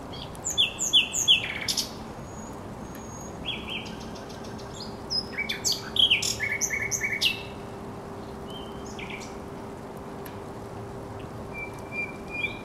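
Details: Song of a thrush nightingale at the Żerański Canal, 24 April 2022, with bursts of dry clicking notes and ringing whistles, then a pause and a second louder phrase of rapid chattering notes, followed by scattered quiet whistles over a low hum.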